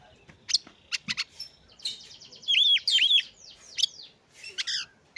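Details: Song of an oriental magpie-robin used as a lure to get lazy, slow birds singing: sharp clicking chips, then a run of loud swooping whistled notes and quick varied trills, with faint background noise.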